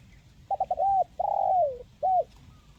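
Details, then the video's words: Crisp-voiced 'mersik' spotted dove singing the 'kuk 1' pattern. Three rapid clipped notes and an arched coo come first, then a long falling drawn-out coo and a closing short rounded coo, clear against soft low rumble. "SUARA BURUNG TEKUKUR MERSIK"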